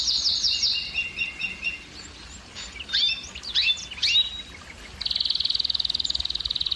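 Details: Singing canary, the song used to stimulate females to mate: a high trill over lower repeated notes, a pause with scattered sharp chips, then a fast, even pulsed trill in the final two seconds.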